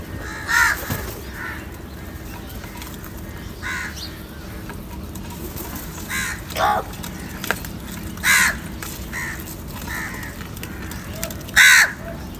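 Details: Crows in a large group fighting over and eating salty food: scattered harsh caws at irregular intervals, a few louder and nearer, over a constant broad background noise.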